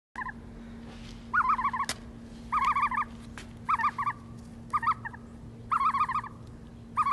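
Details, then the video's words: A young ostrich chick, said to have a soft, soothing voice, gives short rolling, warbled trills about one burst a second over a steady low hum. Common ostrich. "نعام فرخ نعام صوت النعام"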